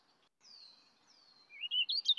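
Warbling Vireo song: two thin, falling slurred whistles, then a hurried, rising jumble of warbled notes that sounds rushed.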